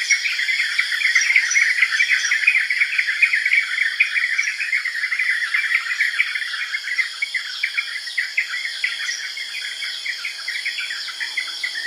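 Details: Yellow-vented bulbul chatter: continuous bursts of short chirps, loud at first then thinning out, with occasional high thin notes above and a steady insect hum throughout.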